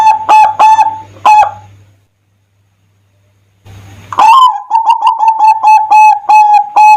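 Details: Song of a zebra dove played as a lure for other doves: a few punchy coos, a pause of silence, then a long stuttering series of short repeated cooing notes at a steady pitch.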